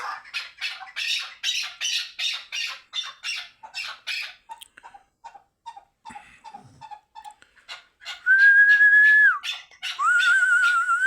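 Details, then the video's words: Chukar partridge in Qabodiyon, Tajikistan, gives a loud series of rasping, clucking notes about twice a second, then softer short chucks. Near the end come a long steady whistle and a second warbling whistle. "Кабки Кабодиён"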